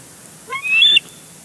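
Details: Bald eagle on its nest at Big Bear Lake, June 23, 2022, recorded by a live camera while the pair fight over a big fish; a single short, high whistle, rising and fairly soft, over a quiet background.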